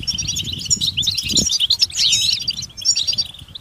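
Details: Twittering goldfinch mating calls: bright, jumbled high chirps and a descending slurred note, several birds mixed, with one low knock and faint background rumble.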